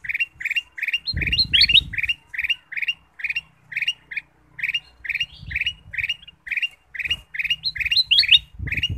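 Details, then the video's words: Ruby-throated bulbul used to coax other birds into song, giving rapid short high notes in a steady series with occasional upslurred extra notes, over intermittent low thumping noise. "pancingan kutilang emas"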